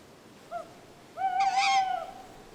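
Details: Wild tawny owl in a Swedish forest at night in winter, perched in a tree where it sits each evening around dusk: a short tonal note, then a longer steady hoot-like tone with a rougher, noisier middle, over a hissing background.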